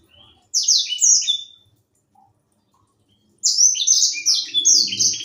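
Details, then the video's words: Seed-eating black-throated canary, young and in full voice, used as a singing tutor: a short phrase of high slurred whistles, a pause of nearly two seconds, then a longer, fast cascade of sweet down-slurred notes over faint low knocking. "Burung sanger muda gacor"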